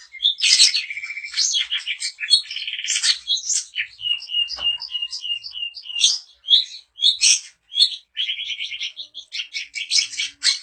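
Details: Long-tailed shrike of the daput variety, song used to provoke other shrikes into singing: a varied, rapid medley of harsh chattering bursts, buzzy rattles and sharp high chirps, with short pauses between phrases.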